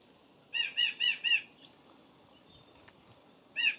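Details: A California scrub-jay feeding on seeds in the afternoon gives a quick run of four harsh, slightly nasal notes, then one more after a pause, over faint outdoor background.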